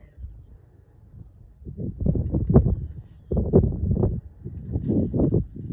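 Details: Taiga bean geese, recorded 10 March 2024, give deep, nasal honks in clustered bursts of several calls, over a low rumbling background.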